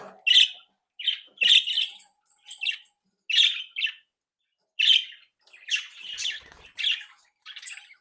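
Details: Home-bred pet budgerigars, happy and playful, give loud, sharp chirps and short squawky warbles in separate bursts with pauses between them.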